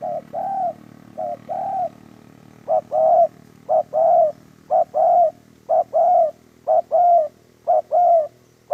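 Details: Spotted dove from a dove-trapping recording, giving a long run of about eight short-then-long coo phrases, the pace quickening and becoming more regular, over a faint low hum.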